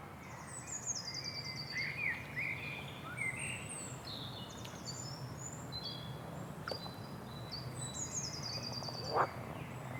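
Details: Bird singing in soft, scattered phrases: high thin whistles and short rapid trills that descend in steps, several slurred notes lower down, and one sharp click near the end, all over a constant low rumble of background noise.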